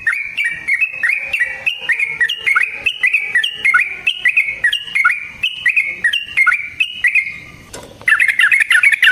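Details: Yellow-vented bulbul, kept caged, delivering a long fight song to rile another bird: dense, fast run of bubbling whistled notes roughly three a second, then a brief break and a burst of shrill chatter.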